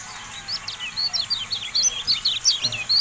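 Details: Kecial kuning, the Javan white-eye, in a training recording: a lively, continuous stream of thin, high, up-and-down whistled chirps that steadily gain in strength.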